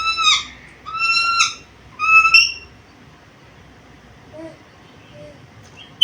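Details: Black-capped lory, said to talk and produce varied sounds; three ringing whistled notes with rich overtones about one second apart, followed by near silence with a few faint low sounds.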